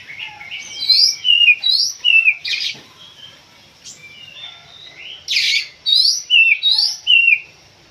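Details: Kept Oriental magpie-robin in a pacingan session, loud whistled song in bursts: sharp rising and falling notes with harsh buzzy accents, a quieter varied passage in the middle, then another run of rapid strong phrases.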